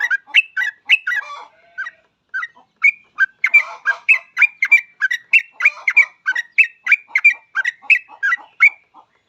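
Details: Continuous bubbling song of a yellow-vented bulbul, kept to coax other bulbuls into singing: rapid, fluty chattering notes repeated about three per second with little pause.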